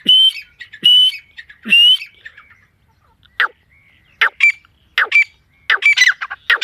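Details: Partridge in a forest utters three loud, harsh phrases with a whistled rising note, then scattered shorter rasping notes follow after a brief pause.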